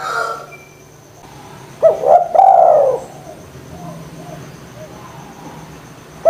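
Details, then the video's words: Energetic spotted dove coo used to stimulate lazy doves to call: a quiet start, then a burst of two or three swelling, arched coos, followed by faint murmuring and a low electrical hum. "DERKUKU GACOR PANCINGAN JITU ATASI DERKUKU MALES BUNYI"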